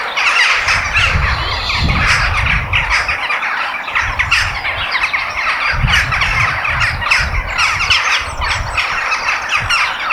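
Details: Crows in a natural setting, loud continuous squawking from many birds, harsh notes stacked on each other, over repeated low rumbling bursts throughout.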